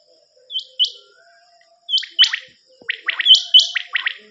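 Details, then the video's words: Common quail calling on a cassette recording used for hunting: paired high, upswept chirps followed by bursts of quick, lower, three-note calls, given in short clustered runs. "نیوبٹیر کی کیسٹ"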